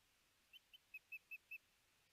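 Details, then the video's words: A nest camera in Hellgate Canyon, Missoula, Montana, picks up a female osprey calling for her lost mate, July 9, 2020. Six short whistled notes rise in loudness through a quick even series over faint background hiss. "Iris Calls Out To Her Lost Mate"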